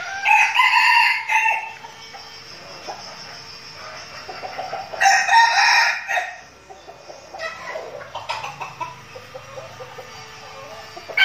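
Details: A flock of red junglefowl decoys kept in Bù Đăng, Bình Phước, Vietnam, training for forest meetings with wild birds; three separate crows ring out over eleven seconds, each a loud, raspy phrase, with a steady faint tone underneath.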